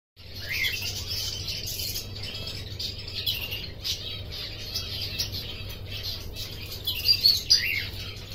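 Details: Canary song: a busy, high twittering of quick chirps and short trills, running on with little pause and rising to brighter, louder notes near the end, over a steady low hum.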